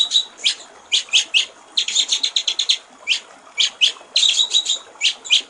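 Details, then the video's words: Murai batu, the white-rumped shama, in clear 'gericik air' master song: sharp rising single notes mixed with tight rapid runs of chattering notes, repeated across the passage. "masteran murai batu/ suara jernih gericik air"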